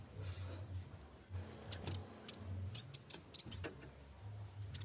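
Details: Yellow-bellied warbler, known locally as cikrak bambu, calling actively toward its rival: a few thin, very high chirps and short twittering notes in quick bursts over a steady low hum and background noise.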